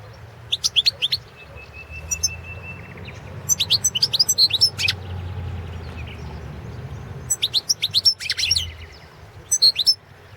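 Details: European goldfinch of the Balkan subspecies Carduelis carduelis balcanica, competition recording from the 2017 World Championship in Goldfinch Song held by a Serbian breeders' association; bursts of bright, rapid tinkling twitters and trills separated by short pauses, with one thin sustained whistle and low background hum.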